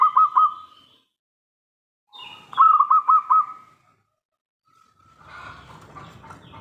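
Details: Local zebra dove singing in the terasan style: two bursts of rapid, rolling cooing notes, three and then five notes in quick succession, separated by silence, followed by a soft rustling, clattering noise.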